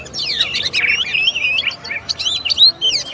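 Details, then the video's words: Kacer (oriental magpie-robin) singing a fast jumble of whistled slurs, rising sweeps and sharp chips, one bright high whistle standing out near the end. "SUARA BURUNG KACER, MASTERAN PARA JUARA"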